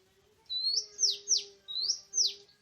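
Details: Oriental magpie-robin in the forest, recorded on 24 March 2017 during a bird-trapping outing, giving two paired phrases of clear whistles, each sliding up then dropping steeply, above a soft continuous low tone.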